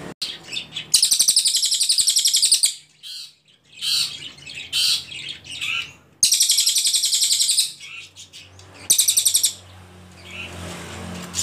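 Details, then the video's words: Ashy Tailorbird song used as a tutor recording for training songbirds: three long, rapid bursts of sharp, very high ticking notes, separated by quieter gaps with faint chirps and low background hum. "CILILIN GACOR PALING JERNIH TEMBAKAN PANJANG"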